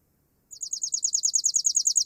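A Chipping Sparrow's dry, high trill: one short note repeated rapidly, about fourteen times a second, in a steady mechanical pulse after a brief silence.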